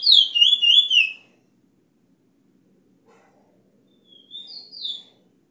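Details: A bullfinch used as a song teacher for training other birds pipes two short phrases of pure, fluty whistles, first a wavering falling run, then soft rising notes after a pause.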